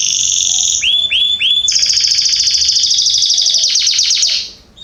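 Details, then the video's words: Canaries singing in a garden in September 2020: a high, bright sustained trill, then three quick downslurred whistled notes, then a long, rapid, rattling trill that fades away near the end. The background is quiet. "Canaries singing in my garden"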